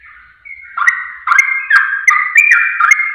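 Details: Sooty-headed bulbul song used as a lure to trigger other birds to sing: bright, liquid whistled phrases in quick succession, each a sharp rising then level note, repeated several times per second.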